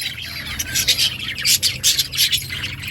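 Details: Budgerigars chirping in an outdoor colony, rhythmic high squeaky chirps repeated several times over continuous warbling chatter.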